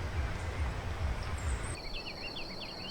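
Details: Wild fawn-breasted tanager delivering a string of short, high, bouncing notes in the second half, accompanied by a steady high insect-like whine, after an opening of low rumbling noise.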